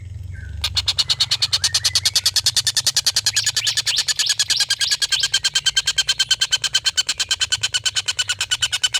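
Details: A collared kingfisher's extended laughing call, used to tutor competition birds. After a brief whistle, a sustained run of harsh, evenly spaced kek notes repeats roughly three times a second for over eight seconds, with low background hum.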